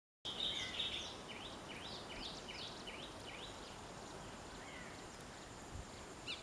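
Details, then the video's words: Green bee-eater calling: a series of short, high chirping trills, repeated roughly three times a second, fading after a few seconds, over steady hiss of background noise. "Green Bee eater"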